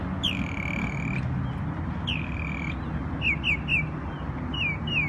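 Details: Songbird in New York on Memorial Day giving two long, level, clear whistles about two seconds apart, then shorter bright falling whistled notes in quick pairs and triplets, against a low steady background rumble.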